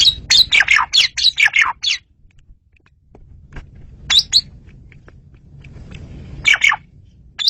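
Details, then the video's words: Asian pied starling song used as a lure for catching birds: clear, loud bursts of harsh, buzzy and whistled notes in a rapid series, then scattered short chirps after a pause. "SUARA JALAK SUREN RAJANYA MP3"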